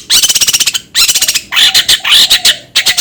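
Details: Long-tailed shrike producing loud, grating chatter: fast trains of rasping notes in three or four clustered bursts, the middle bursts harsher and more squawk-like.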